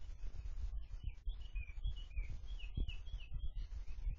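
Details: Caged sooty-headed bulbul, tame after four months in captivity and noisy all day, giving a string of short whistled notes, slurred up and down, with low thumping and rumbling handling noise underneath throughout.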